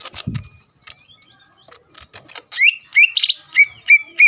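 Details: Greater green leafbird song to make rival leafbirds sing: soft scattered chips, a low thump, then louder repeated whistled notes and a harsh buzzy burst.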